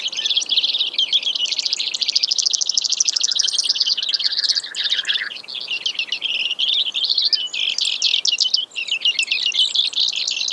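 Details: Long, continuous high trilling from a Brewer's sparrow: dense buzzy rattles change speed and pitch several times, with a lower slow trill in the middle and no real pauses.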